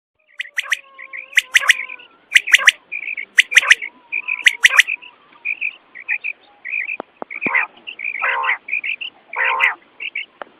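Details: Quail calling at night, used to lure quail for hunting: repeated bursts of sharp, clipped chirps with bright harmonics, several notes in quick runs, plus a few lower rasping notes near the end.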